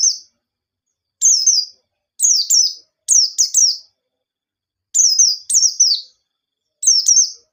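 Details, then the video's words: White-eye song played to stir untrained birds into singing, wild-style with sharp notes: clusters of two or three piercing, falling chirps arrive every second or so against a clean, quiet background. "Burung Pleci Gacor Ngalas Nembak || Pancingan Penggacor Pleci Bahan"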